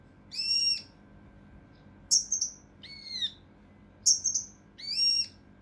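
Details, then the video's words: Song of a mountain leaf warbler in the tembakan kasar rapat style, recorded for training contest birds: five bright notes, some arched and ringing, some piercing double-pulsed whistles, roughly one per second. "TEMBAKAN KASAR RAPAT UNIK | SUARA CUCAK RANTE MAS UNTUK MASTERAN BURUNG LOMBA"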